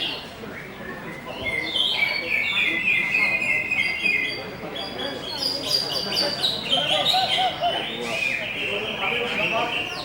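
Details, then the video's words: Greater green leafbird delivering a long, lively song of bright whistles, trills and sharp chips, busy and unbroken for ten seconds, with a person's voice speaking in the background. "CUCAK HIJAU BUSSER ‼️ DACIM CIKAL CICADAS"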